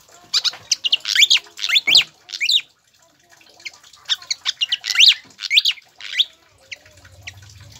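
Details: Pied fantail song used as a lure and master track to get captive birds singing; bursts of high, sharp, rising and falling whistled notes in quick phrases, with a short pause before a second run of similar notes.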